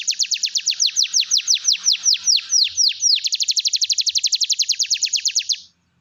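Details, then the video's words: Chattering canary song meant to stimulate silent canaries: a run of spaced high descending whistled sweeps shifts into a faster, tighter trill of short notes, ending abruptly in silence. "kenari gacor || pancingan kenari macet bunyi"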